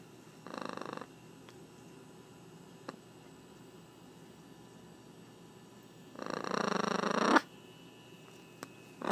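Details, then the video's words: A talking blue-and-yellow macaw gives two rough, raspy growls in a quiet room, a brief one and then a longer, louder one about five seconds later. "the talking macaw grrrrroals"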